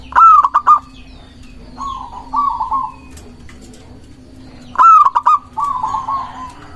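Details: Zebra dove, local type, singing as bait for wild doves and to stir rivals: a loud whistled, clicking opening, then two bubbling trilled runs of coos, with the pattern repeating after a short pause.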